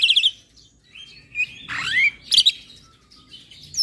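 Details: White starling, a Javan pied starling, singing full with head-bobbing that stirs up other starlings: scratchy chatter, a long harsh rising buzz, then clipped whistled notes between quiet gaps.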